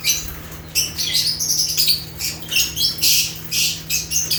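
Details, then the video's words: Natural chirping of African lovebirds (Agapornis): dense, piercing high-pitched chatter of harsh chirps and squeaks running almost without break, with a constant low hum beneath. "Rare African Lovebirds (Agapornis) | Natural Chirping Sounds"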